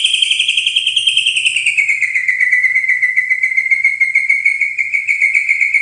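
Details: White-rumped shama holding a long, vibrating whistled trill that drops slightly in pitch after two seconds and then stays steady and buzzy.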